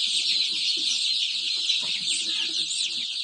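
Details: A crowd of about 500 chicks produces a continuous wall of thin, high-pitched cheeping, countless overlapping peeps with soft lower clucks scattered beneath.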